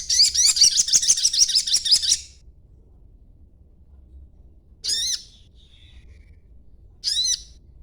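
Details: Juvenile green-plumaged sogon twittering, used as a lure so other sogons answer: two seconds of rapid, dense, high squeaky chatter, then silence broken by two short bright chirps a couple of seconds apart.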